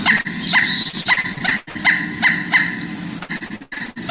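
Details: Pileated Woodpecker call, one of several calls of this species: a loose series of sharp, high, down-slurred notes, two or three a second, unevenly spaced, over a low background murmur.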